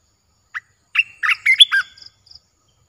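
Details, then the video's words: Olive-winged bulbul kept in a cage, recorded 29 June 2021, gives one quick phrase of rich, gurgling notes that jump up and down, followed by a few faint high ticks. "เสียงนกกรงตาแดง(นกปรอดสีไพลใหญ่)Ep.1Birds sounds suara Burung merbah beluker gacor"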